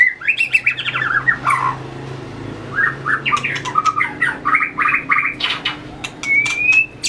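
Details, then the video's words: White-rumped shama in fighting-song training, flicking its tail and moving along the perch: a long run of rapid, stuttering whistled notes in quick bursts, sharp clicks between phrases, and a rising clear whistle near the end. "luyện chòe lửa hót đấu,đập đuôi chạy cầu"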